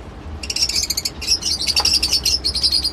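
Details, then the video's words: Lovebird giving rapid, continuous shrill chatter: high, harsh chirps pulsing several times a second with little pause, over a faint low background hum. "love bird sounds"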